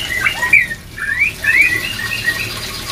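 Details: White-rumped shama song meant to raise breeding drive: long clear rising whistles and slurred notes, one after another with brief pauses, over low steady hum.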